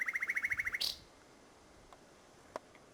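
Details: A nightingale sings at Salthouse, Norfolk, on 1 May 2011. A rapid series of about ten identical rising chirps ends in a harsh burst, then quiet with faint clicks.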